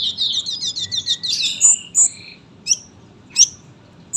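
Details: Sunbird song burst used as a training master: a fast high twittering run, followed by a few isolated sharp, piercing notes spaced about a second apart against a quiet background.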